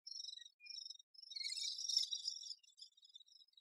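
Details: Great spotted woodpecker busy tending its young: thin, high, buzzy chattering notes in quick short bursts, swelling into a denser, harsher flurry midway before trailing off into faint chirps.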